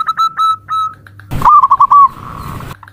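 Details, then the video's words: Zebra dove call used as a lure call, short soft cooing notes in a quick series, then a burst of noise and a trilled, warbling coo run that fades. "Suara Panggilan Perkutut"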